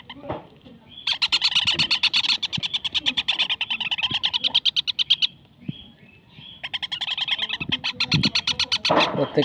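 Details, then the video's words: Young parakeets give rapid, harsh, raspy chattering in bursts of a few seconds, high-pitched and buzzy, with short pauses between. "ছোট বাচ্চা টিয়া পাখি"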